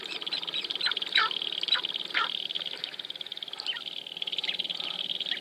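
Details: Sharp-tailed grouse dancing at Wainwright, Alberta, in 2015: a series of short, sharp, downward-sliding calls in the first half, then scattered fainter notes over a steady high hiss of background sound.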